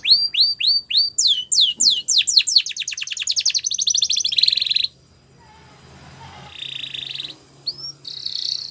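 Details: Training song of a Spanish Timbrado canary: rising whistled notes accelerate into a fast rolling trill and buzz, followed by quiet pauses and softer buzzy phrases.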